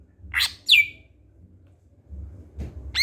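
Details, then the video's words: Greater green leafbird giving its characteristic song: two short buzzy notes, the second sweeping steeply down into a thin, level whistle, then a quiet pause before another sharp downward-slurred note at the end; faint low hum beneath. "Suara Khas Burung Cucak Hijau"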